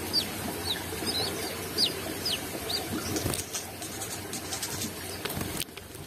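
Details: Brown-throated sunbird in full song with beak open, giving several sharp, high, falling chirps in the first seconds before they fade, leaving steady hum and a few faint clicks.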